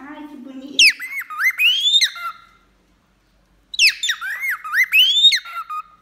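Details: Male and female cockatiels singing while bathing: two bursts of whistled, warbling phrases with rising and falling slurred notes, separated by a pause of about a second and a half, with a low hum at the start.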